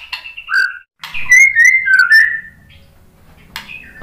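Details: White-rumped shama lure song for coaxing birds to sing in reply: a brief slurred whistle, then a loud phrase of sliding clear whistles with harsh edges, followed by a quiet pause and a final rasp.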